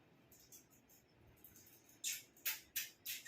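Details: A caged pet rose-ringed parakeet, indoors while the birds are being fed, gives harsh, raspy screeches in quick bursts of about three a second, getting louder toward the end.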